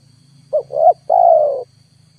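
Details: Spotted dove sounding as a lure for wild birds. A single phrase: a brief note, a swelling rising coo, then a longer level falling coo, over a steady low hum.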